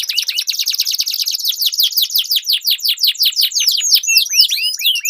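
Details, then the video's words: Duelling canary song with long rolls, used to coax silent competition canaries. A rapid unbroken trill of steep descending notes runs about three per second and slows into clear swooping whistles at the close. "Duel Burung Kenari Suara Merdu Ngerol Panjang || Pancingan Ampuh Kenari Macet Gacor Ngerol Panjang"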